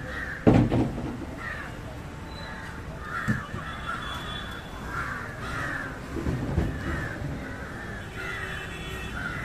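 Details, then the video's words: Indian jungle crow calling while feeding on fish: a series of harsh, hoarse caws, roughly one every half second to second, uneven in rhythm, over a steady low background rumble. "Indian Jungle crow (Corvus culminatus) Call and behavior feeding on Fish"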